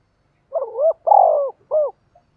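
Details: A single calling phrase from a decoy spotted dove, meant to lure wild doves: a quick wavering opening note, a long buzzy rolling coo, then a short rounded final coo, with nothing else audible.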